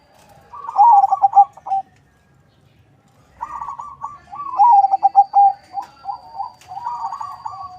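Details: A melodious captive zebra dove from a local and Bangkok crossbreeding line in Bekasi, West Java, used as a lure. It sings a stuttered coo phrase, pauses, then gives a long, varied run of trilling coos.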